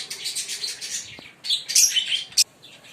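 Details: Green Fischer's lovebird pair singing and chirping, with a second of dense, buzzy, high chatter, then a brief quiet gap followed by sharp, shrill chirps and squeaks in quick, uneven bursts.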